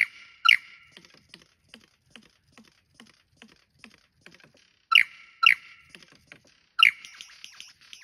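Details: A lyrebird performs in cool, wet rainforest at Tarra-Bulga National Park, Victoria, giving loud, harsh, squeaky bursts, single and then paired a few seconds apart, with faint soft ticking notes between them.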